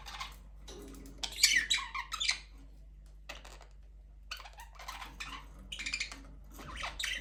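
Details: Breeding budgerigars in an aviary, the first chick hatched and more eggs laid: uneven bouts of squeaky, scratchy chatter, louder early on, then quieter twittering bursts separated by short silences.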